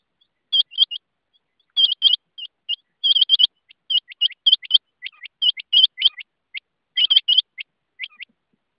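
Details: Rain quail giving a rapid series of high, clipped double notes, the pairs tumbling close together with some single and triple notes, a busy stuttering run over about nine seconds against a silent background.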